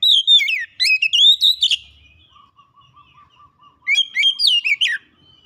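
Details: Oriental magpie-robin song played as a lure to get reluctant birds singing: two bursts of loud, varied whistles and down-slurred notes separated by a soft, evenly repeated low chip series.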